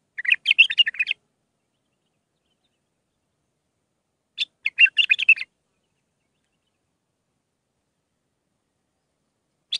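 A bulbul gives two bursts of rich, warbling phrases, each about a second long, with quick varied notes, then a single brief note near the end; otherwise quiet.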